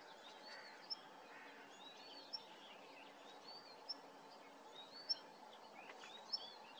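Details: Whinchat at Starene bird station, 2023: short, sharp, high ticking calls about every second and a half, over faint chatter of other birds and a steady background hiss.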